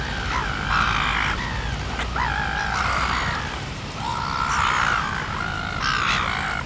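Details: Red-billed gulls in New Zealand give harsh, drawn-out squawks, several overlapping in quick succession, over a steady low rumble of wind or surf.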